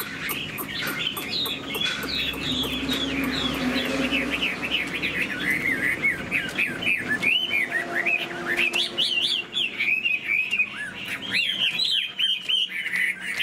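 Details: Long bout of song from a caged Chinese hwamei with a spread tail, imitating laughingthrush phrases: varied rapid whistles, trills and slurred notes flowing continuously, with low background hum early on.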